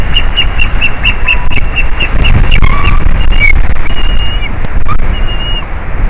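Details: Male white-tailed eagle at a Latvian nest on 9 April 2021 around midday, calling with his mate as she reacts to an intruder in their territory: rapid high, thin yelping notes, about four per second. Other birds whistle briefly, over wind rumble.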